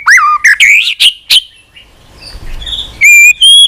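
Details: Singing white-rumped shama, prompted to sing and flicking its tail, using many unusual voices; loud falling and rising whistles with quick sharp notes, a short quiet gap, then two clear steady high whistles.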